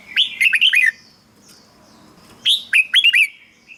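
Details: Red-whiskered bulbul singing, meant to excite birds or serve as a decoy: two quick phrases of cheerful downslurred chirps separated by a pause of over a second.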